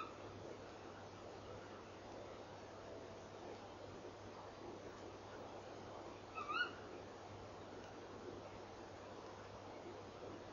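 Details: A female tawny owl perches by her nest box before dawn, 04:33 on 3 December 2013, calling after feeding inside for an hour. Long near-silent stretch of hiss, then one brief, sharp, upward-inflected call with harmonics.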